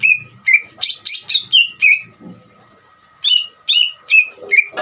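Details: Greater green leafbird's ngeriwik trill for provoking other birds to sing: quick string of clear, downward-sweeping notes, a pause of about a second, then another short run of similar notes.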